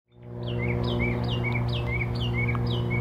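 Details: Northern mockingbird singing at Old South Cemetery on 17 April 2024. One clear down-slurred whistle repeats about seven times in quick succession, over a steady low mechanical hum.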